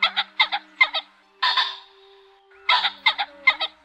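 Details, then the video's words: Male and female ring-necked pheasants give harsh, raspy paired notes in quick bursts, with one longer grating call in the middle, over a faint low hum; flock-gathering calls used as a lure for trapping. "Tiếng Chim Trĩ Đỏ , Trĩ Cổ Nhẫn Trống Mái Gọi Bầy"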